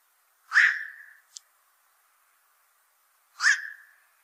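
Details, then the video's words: Black-crowned night heron, a fish eater that troubles fishpond owners, calling twice about three seconds apart. Each call is a brief, rough burst that drops into a fading, falling tone, with a faint click between them and silence otherwise. "BLACK CROWNED NIGHT HERON CALL SOUND"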